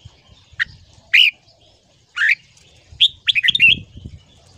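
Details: Red-whiskered bulbul singing in the morning, a ché-style training song to push young birds toward long phrases: a few spaced whistled notes building into a fast, bubbling run of up-and-down whistles, with faint low noise.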